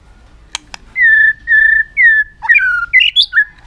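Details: White-rumped shama singing in aggressive tail-flicking display to provoke other birds: two sharp clicks, three sustained level whistles, then a rapid jumble of rising and falling notes.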